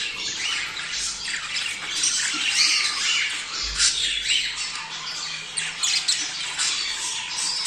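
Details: Budgerigars heard in a mating-prompt recording: continuous raspy warbling and scratchy squawks pulsing about twice a second, steady loudness throughout.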